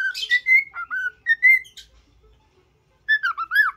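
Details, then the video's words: Happy cockatiel being trained to sing and talk, giving clear whistled notes near the same pitch, some rising and some falling, in quick phrases. A pause follows, then a burst of downslurred whistles. "تدريب طائر الكوكتيل على الغناء والكلام.Happy cocktaiel singing"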